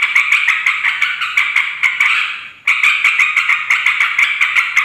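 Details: Yellow-vented bulbul chatter for luring wild birds of both sexes; rapid buzzy pulses, a brief fading gap midway, then the rattling chatter resumes.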